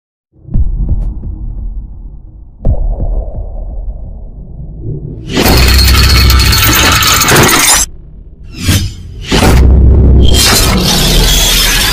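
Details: Low rumbling thuds and bursts of harsh, crashing broadband noise, with no animal voice heard.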